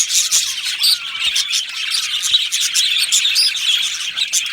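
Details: Budgies in an aviary colony, with a steady stream of high twittering and clicks from many birds and a few short whistled notes rising above the chatter.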